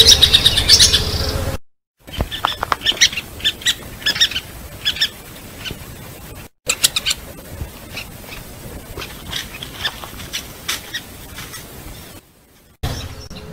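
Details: A piculet gives thin, high, squeaky notes in quick irregular bursts, about three a second, broken by brief silent cuts; its call is often answered by its mate, male or female.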